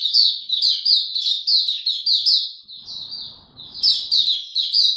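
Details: Oriental white-eye singing from a cage in ramped-up form on 3 January 2022: a long stream of high, sweet chirps, briefly softening before resuming, with light rustling in the background.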